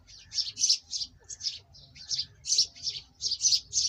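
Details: Black francolin (kala teetar) call, played by keepers to stimulate captive birds to call: harsh, scratchy high-pitched notes in rhythmic bursts of three or four, with short gaps between phrases, over a faint low hum.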